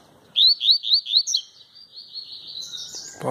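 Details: Double-collared seedeater male singing a tui-tui style song without a female present, four sharp rising whistled notes in quick succession followed by a thinner drawn-out trill, with a brief burst of a man's voice at the end.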